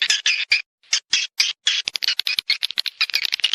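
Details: Swiftlet lure recording for attracting nesting birds: loud raspy buzzes with short pauses, then a rapid jumble of high clicks and chirps packed closely together.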